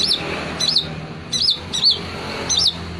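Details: Song of a long-tailed shrike that imitates prinias and kingfishers: short, high, twisting chirps repeated at uneven intervals of about half a second, set against steady low background noise.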